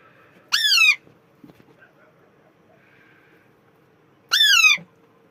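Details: Two harsh, grating squawks from an Alexandrine parakeet, each about half a second long and falling in pitch, spaced roughly four seconds apart, with faint clicks and a soft hum between them.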